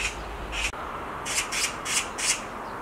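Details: A black magpie on a tree branch gives two short rasping notes, then after a gap four more loud, grating screams in quick succession.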